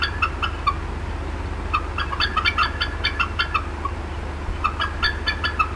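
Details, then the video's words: Female bald eagle, upset at the Decorah North nest, April 2016 afternoon: scattered bursts of thin high clucks separated by brief gaps, somewhat softer, with a persistent low hum underneath. "MOM UPSET & CLUCKING A VERT LONG TIME"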